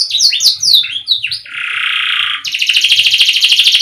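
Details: Canary singing a quick run of bright, downslurred whistles, then a long, even, buzzing roll. The song ends in a rapid, repeated, high trill with faint low rumbling beneath.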